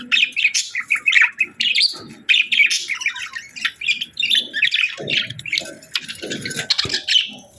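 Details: Budgies, pet parakeets, chirp cheerfully in a dense, busy chatter of quick twittering notes and short squawks, the warbling running almost without pause, with soft low thumps beneath.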